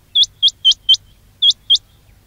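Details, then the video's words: Quail call for trapping: six clean, high chirps, each with a quick upward hook, given in a quick run of four, a pause, then two more. "quail batair ki awaz"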